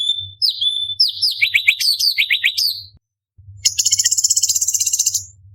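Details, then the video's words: Cucak cungkok, the orange-bellied leafbird, used as a contest tutor: a rapid run of high slurred whistles and descending chirps, then after a short gap a fast, even rattling trill, over a low background hum. "Cucak Cungkok Istimewa ~Tembakan Istimewa Pedas - Burung Masteran Lomba - Orange Bellied Leafbird"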